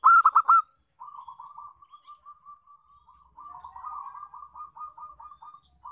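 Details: Lure song of a local zebra dove for prompting other doves: four rapid loud ringing notes, then a long series of soft, evenly pulsed purring coos at a steady pitch.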